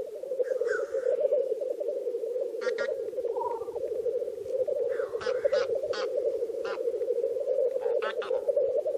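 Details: Black grouse disputing territory while seeking to mate: a steady, low bubbling rookoo drone runs throughout, broken by several short, harsh hissing notes with rasping overtones.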